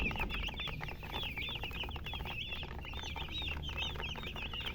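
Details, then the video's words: Baby chicks peeping: a dense flock chorus of short high chirps, many overlapping and repeated rapidly, over a steady low background rumble. "Baby "Chicks Chirping" Sound"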